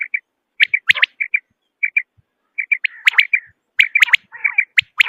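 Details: Quail voice for hunting in Pakistan: quick chains of short clipped notes, sometimes paired, broken by brief pauses, then louder, busier bursts of sharp notes toward the end.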